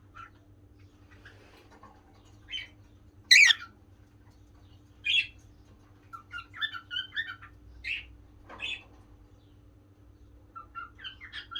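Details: Pet cockatiel, a gentle male kept indoors, giving short harsh squawks and chirps at irregular intervals, one loud screech near the start, then a busier run of scratchy chattering notes, with a steady low hum in the room.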